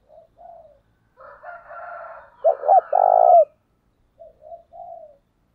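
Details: Spotted dove cooing as a lure for wild males. Soft distant coos come before and after a louder phrase of two short notes and a long purr, with a higher raspy drawn-out sound just before it.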